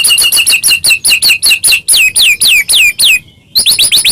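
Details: White-rumped shama song meant to make other shamas sing: a fast run of about four sharp down-slurred whistled notes per second, a short pause, then the series resumes.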